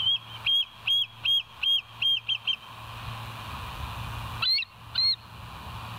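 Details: West End bald eagle on a nest cam on the morning of 21 September 2023, 06:55: seven quick high whistled piping notes, then a pause and two sharper, louder squealing notes, with low background hum throughout.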